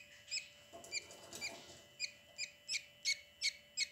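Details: Three budgerigar chicks in a nest box, with the hen present, give thin, high squeaky peeps, about ten in four seconds at a quick, slightly uneven pace, over a steady low electrical hum.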